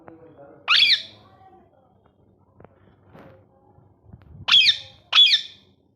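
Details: Pet ringneck parrot, described as talking and having fun, lets out three loud, harsh, high squawks: one early, then a quick pair about half a second apart, with faint room sounds between.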